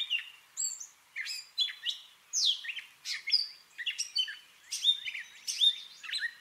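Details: A Gray catbird's imitative song: disjointed squeaky and whistled phrases, some rising, some falling, strung together without pattern, bright and high.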